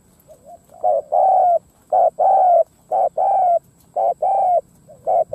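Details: Spotted dove used as a decoy bird, cooing to lure wild doves: repeated deep hollow coos in pairs of a short then longer note, roughly one per second, with a faint softer coo between; a steady faint whine in the background.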